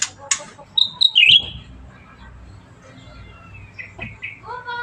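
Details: Bulbul, locally called cucak ranting, singing actively: a few sharp whistled chirps and a brief warbling flourish near the start, then quieter sliding notes later, over a low background rumble.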